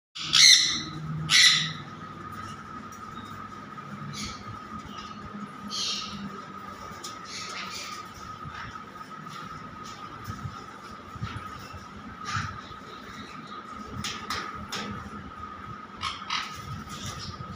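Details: A group of sun conures gives two loud, harsh screeching squawks, then quieter chatter over a steady high hum.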